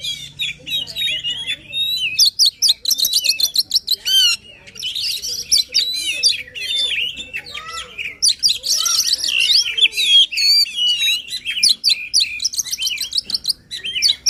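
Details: Sustained emotional 'gacor' singing by an Oriental magpie-robin, played to get an idle bird singing: almost continuous rapid trills, rattles and high ringing whistles in long dense phrases.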